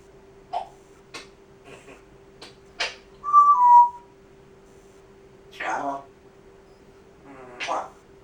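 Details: Pet grey parrot demonstrating part of its talking repertoire indoors. Short speech-like syllables and clicks, a clear two-note whistle in the middle, then longer word-like sounds, over a steady low hum.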